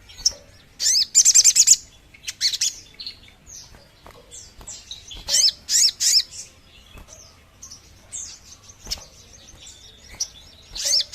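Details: Sogon bird call played to lure birds: short bursts of high, sharp, rapidly pulsed buzzy notes come in clusters, mixed with thin downslurred chirps and clicks.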